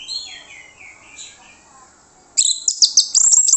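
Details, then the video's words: Orange-headed thrush singing as bait for other birds to respond. Soft descending whistles give way to loud, rapid, high chattering notes with a harsh edge. "PANCINGAN ANIS MERAH MANTAP YANG LAIN LANGSUNG NYAUT"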